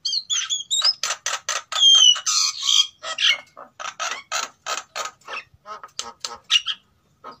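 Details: Male and female Sulawesi white-necked mynas, captive-bred and in breeding condition, singing as a lure sound. Twangy whistled notes open, then loud harsh chatter pulses at roughly three per second before fading out.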